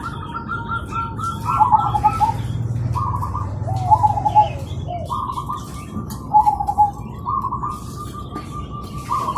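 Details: Morning chorus of zebra doves calling back and forth: short purring, stuttering coo phrases spaced a second or two apart, some overlapping, over steady low rumble.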